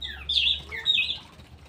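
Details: Straw-headed bulbul giving two short, bright, bubbling warbled bursts, the first louder and swooping, the second slightly lower, over a quiet low hum.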